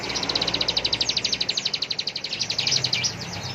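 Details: Bar-winged prinia in full vigorous song in the ngebren style, delivering a long, fast, even rattle of sharp high notes, roughly ten per second, sustained for over three seconds against faint background noise.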